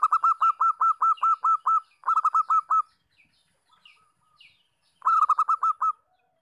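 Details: A local zebra dove in breeding condition coos in rapid bursts of clipped, pulsed notes on a steady mid pitch. About ten notes come first, then a run of six, a near-silent pause with soft faint notes, then seven more. The background is quiet.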